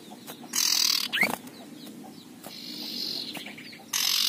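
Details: Rough, scratchy ngekrek calls from a combative male common iora: a loud rasp, a brief rising whistle, then a softer drawn-out buzz, and a final harsh burst at the end.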